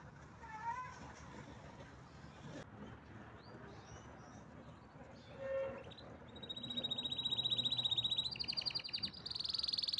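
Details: Soft scattered notes lead into a loud rolling canary-type trill in the second half, high and evenly pulsed, followed by a brief buzzy roll.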